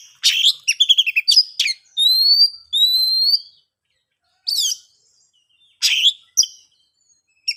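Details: Oriental magpie-robin song meant to lure quiet birds into singing: a rapid chattering run, then two long rising whistles, followed by sparse sharp chirps after a silent gap.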